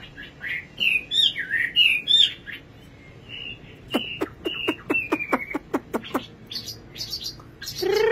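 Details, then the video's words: Nightingale song opening with warbled whistled phrases, then a steady series of about a dozen sharp downward-sweeping notes, ending in a fuzzy burst. "Singing nightingale. amazing bird song"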